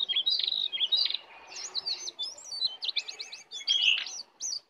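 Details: Brown cingcoang in the wild, approaching to attack: bright whistled phrases, then a fast run of repeated downslurred notes and a loud sharp whistle near the end, over faint background noise.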